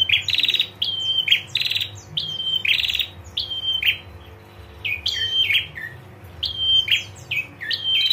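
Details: Female prinia's lure call, meant to draw a response from males: rapid bursts of sharp, buzzy, high chirps, some with falling whistled tails, about once a second over a faint low hum.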